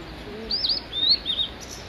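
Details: Male Blue-and-white Flycatcher singing on Migitagatake: three bright, high whistled phrases, the first a quick wavering loop and the others shorter slurs, over a quiet background.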